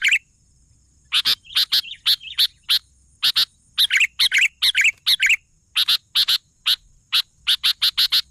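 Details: Sooty-headed bulbul in active song. Rapid crisp notes come in clusters, with a burst of rich warbling in the middle and a quick run of chips at the close.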